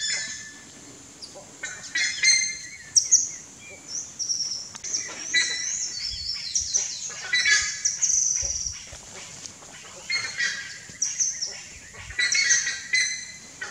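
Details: Buff-necked ibis chicks in the nest keep up a long run of shrill, high begging squeals, a mix of slurred whistles and harsh chatter rising and falling in loudness.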